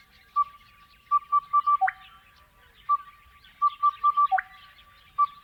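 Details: Crested bellbird singing in the Australian outback: resonant ringing notes in quick runs of three to four, each run ending with a deeper liquid bell-like note, repeated twice, soft background bird chatter.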